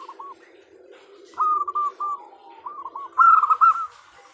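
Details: Female zebra dove calling to the male: a soft opening coo, then two rolling phrases of quick cooing notes, the second louder and brighter, over a faint low hum.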